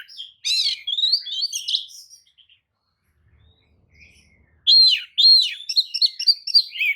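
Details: Provoking lure song of a tail-spreading Oriental magpie-robin; a loud burst of rich whistles and trills, a near-silent gap with faint rumble, then another strong run of repeated slurred whistles.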